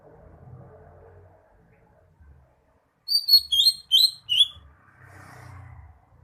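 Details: Greater green leafbird singing: a quick burst of six or seven bright, high chirped notes bent up and down, given in little more than a second after a quiet stretch, with faint low rumble behind.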